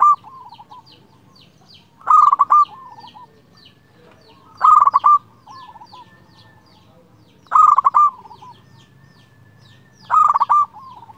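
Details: Clear-voiced local zebra dove calling a rival. Four strong coo phrases arrive at steady intervals of about two and a half seconds, each a quick pulsed run into a sustained note, with soft coos trailing after.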